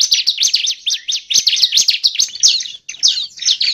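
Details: Lure recording of a bar-winged prinia used to trap birds, packed with quick, shrill up-and-down notes in a dense chattering series, broken by one short gap before three more notes.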